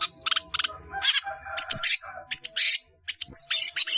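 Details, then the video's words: Long-tailed shrike (cendet), a caged bird in Indonesia, in lively 'gacor' song full of varied fill-in phrases (isian) for training other birds: harsh, buzzy bursts and brief squawky notes in quick uneven clusters, with a low hum beneath. "CENDET GACOR ISIAN BANYAK"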